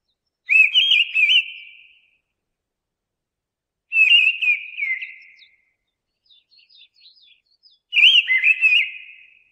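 Mistle thrush singing three loud, fluted whistled phrases, each about a second long and spaced roughly four seconds apart, with faint high notes between.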